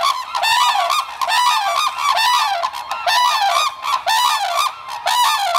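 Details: Red-crowned cranes, a parent pair at the Akan International Crane Center in Japan on 9 December 2022, trade territorial declaration calls while their chick feeds: loud, harmonic, bugling honks repeated about once a second in overlapping bursts.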